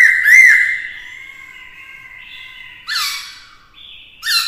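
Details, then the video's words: Black-throated laughingthrush singing to provoke rivals, accompanied by a female: a strong sustained whistle that fades out, followed by two short bursts of loud, harsh rising notes. "Khướu mộc hót kích đấu - Khướu bạc má hót nhiều giọng hay"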